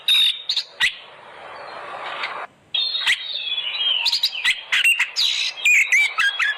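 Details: Oriental magpie-robin singing, played to trigger other magpie-robins to sing: scattered sharp whistles, then a stretch of broad hiss, followed by dense, rapid, varied whistled and chirping phrases toward the end.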